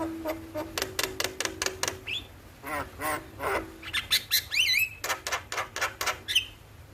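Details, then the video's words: Morning starling song meant to train birds to sing: a fast series of sharp clicking ticks, then harsh grating phrases and upslurred whistles, ending with more rapid ticks and a short whistle. "Pancingan Dan Masteran Burung jalak Di Pagi Hari Bikin Cepat gacor"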